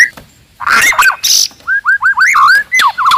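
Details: Loud, aggressive white-rumped shama from the forest, a rival-provoking song: a harsh buzzy burst, then a string of short clear whistled upslurs and hooked notes, ending in a quick warbled trill.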